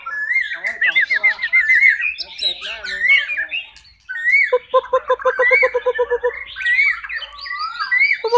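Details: Spanish canary singing a varied song: rapid bubbling trills near the start, a low, even rattling roll repeated about ten times in the middle, then bright rising whistled notes, with other chirps overlapping.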